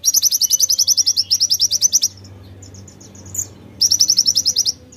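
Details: White-eye in full song with konin fill-in: long, fast, rhythmic bursts of bright high chirps, about four per second, separated by a short pause with scattered softer notes, then another rapid burst.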